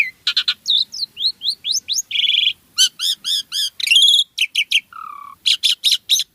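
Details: Asian pied starling in lively gacor song, packed with varied isian fill-in phrases: rapid shrill chirps, rising whistled slurs, a buzzy rattling burst and a low flat whistle, delivered in quick separate notes.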